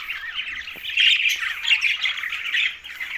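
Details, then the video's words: Green budgerigars eating together give a brief run of bright, buzzy warbling and chirps that grows louder after the first second. "Green Budgies Talking"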